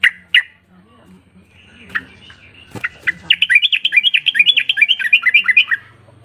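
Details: Yellow-vented bulbul calling to prompt quiet birds to reply: a few isolated sharp notes, then a lively bubbling, chattering series of rapid rising-and-falling notes lasting about two and a half seconds, over a faint low hum.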